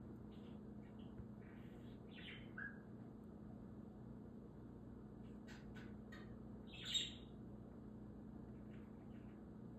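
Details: A pet budgerigar's morning chattering: scattered scratchy chirps and short warbles, with one sharp whistle near the end, over a steady low indoor hum.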